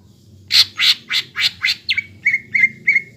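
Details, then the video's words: Greater green leafbird singing to encourage young birds: five harsh, rasping squawks in steady rhythm followed by four short, clear whistled notes. "PANCINGAN CUCAK IJO BAHAN ATAU BAKALAN AGAR CEPAT GACOR"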